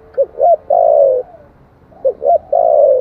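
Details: Spotted dove in 'thổ' voice, a lure recording for wild doves. Two phrases, each with two quick, rounded rising-falling notes and then a long, smooth coo sinking gradually in pitch, separated by a short pause.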